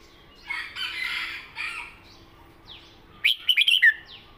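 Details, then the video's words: {'text': 'Red-whiskered bulbul in a cage, southern Thai song style: a breathy rushing noise first, then a fast, loud run of about five sparkling whistled notes.'} "เพลงใต้สวยๆ!เม็ดกะจี้กหก/นกเสียงทอง(Bulbul bird)"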